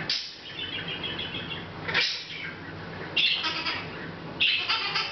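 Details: Pet Hahn's macaw chatting quietly to itself, unaware of the camera, recorded August 10th 2012: short raspy, harmonic squawks and chirps in bursts about a second apart, over a steady low indoor hum.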